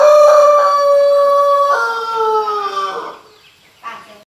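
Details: Pelung chicken, a rooster crowing melodiously: a long, drawn-out, tonal crow holding steady for nearly two seconds, then breaking into a lower wavering tail that fades away, followed by a brief faint sound.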